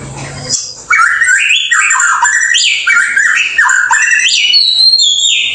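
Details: White-rumped shama from Indonesia singing a loud, continuous, varied song. Rich whistled notes step up and down in pitch, mixed with quick warbles and chattery phrases, and a few high, sweet notes near the end.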